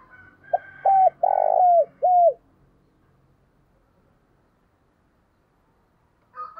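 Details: Spotted dove used as a lure bird, 2022, calling with a single coo phrase: a short note, clipped coos, a long buzzy coo and a downslurred ending, over faint thin higher tones, then silence.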